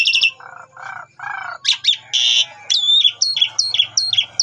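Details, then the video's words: Asian pied starling lure song for prompting other starlings: stacked high notes, three low nasal buzzes, a harsh burst, then a run of short, bright, repeated whistled hooks. "Cukup 3 Menit Saja Jalak Suren Bakal Nyaut Dan Ikut Gacor Dengan Pancingan Jalak Suren Ini"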